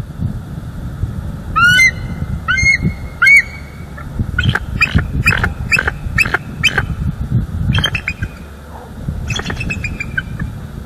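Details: Bald eagle pair at their nest in Northeast Florida, filmed by a live nest cam on October 5, 2022, calling out together after a visiting juvenile left. First come rising, ringing whistles, then rapid bursts of sharp, high chips with a steady low rumble underneath.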